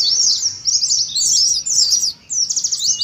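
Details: A ngeriwik chorus of Oriental white-eyes from a contest simulation: bursts of shrill, rapid twittering with a short silent gap just after two seconds before the chatter resumes.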